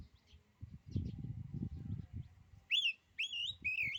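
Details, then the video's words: ['Oriental magpie-robin singing a song claimed to daunt other magpie-robins: low rumbling handling noise first, then three loud, rising whistled phrases with bent, wavering ends in quick succession.'] "kicauan kacer ini, bikin nyali kacer lain jadi ciut."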